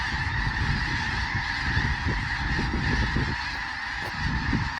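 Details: Thousands of geese in a very large flock, their overlapping honks forming a loud ceaseless din, with rumbling low noise, possibly wind or wingbeats, beneath.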